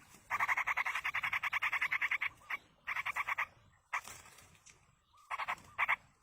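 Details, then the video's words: Yellow-vented bulbul chicks begging while a parent feeds them in the wild: rapid bursts of harsh, buzzy notes repeated several times a second, broken by short pauses, with a few scattered single notes near the end. "indukan burung trucuk meloloh anakan di alam"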